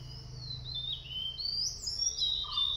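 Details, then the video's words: A White-bellied Sholakili recorded in Kodaikanal sings a high, thin, wandering phrase of squeaky whistles that slide up and down, ending with a single lower note. A faint low hum runs underneath. "A beautiful song of White Bellied Sholakili"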